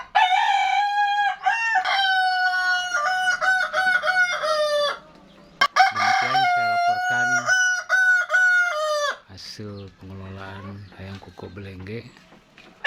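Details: A male Kokok Balenggek rooster from West Sumatra, kept for breeding, crows in long, stepped phrases that break into a series of tiered notes.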